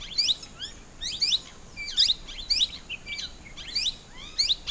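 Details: Plum-headed parakeet uttering shrill, curving, squealing notes in short grouped bursts, repeated at uneven intervals of under a second, with a faint background hiss.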